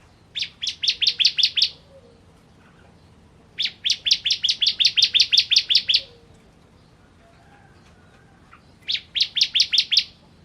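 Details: Ciblek kristal, the bar-winged prinia, used as a tutor song for songbirds: three bright bursts of rapid, evenly spaced high chips, eight to twelve notes each, separated by pauses of about two seconds.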